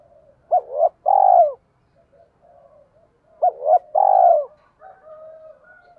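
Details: Decoy spotted dove in 'giọng thổ' style, used to provoke wild doves: two paired coos each followed by a long falling note, repeated about three seconds apart, with faint softer cooing in between.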